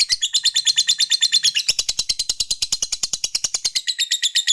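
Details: Long ngekek of a fighter lovebird, used to stir up rival males: rapid, machine-like chattering of shrill, harsh pulses repeated evenly for the whole stretch.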